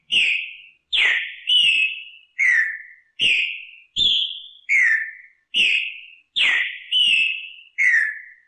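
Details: Green-winged saltator repeating its katrina song, one of 239 repetitions. Eleven rich whistled phrases, each starting sharply then gliding downward and trailing off, delivered in a steady rhythm of well under a second, with nothing else audible.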